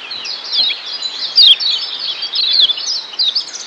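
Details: Brief stretch of Lombok yellow white-eye training song, meant to change ngeriwik style to ngeplong: thin, high continuous twittering with slurred descending notes and a louder sharp phrase at about 1.4 seconds.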